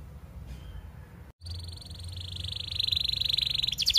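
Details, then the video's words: Canary song used as a model for young or silent canaries: after a quiet start and a brief break, a long steady high trill builds in loudness and ends in a fast rattling roll. "MASTERAN KENARI 30 MENIT DURASI PANJANG"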